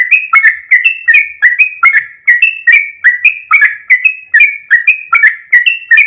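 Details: Sooty-headed bulbul, long 'ropel' run: evenly spaced, ringing whistled notes, some gently rising and others falling. The rhythm stays steady for six seconds.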